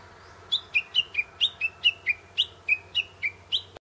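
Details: Japanese bush warbler singing from a tree near a grave, recorded handheld on a Sanyo Xacti CG10 digital camera: a rapid run of about twelve short, sharp chirped notes alternating higher and lower, roughly three per second, over a faint steady low hum.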